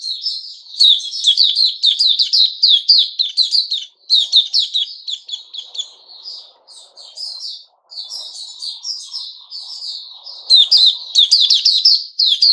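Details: Sooty-headed bulbul kept in a cage, recorded 10 July 2021, pouring out long fast runs of high chattering chirps, nearly two per second, broken by short pauses. A faint low rustle sits underneath.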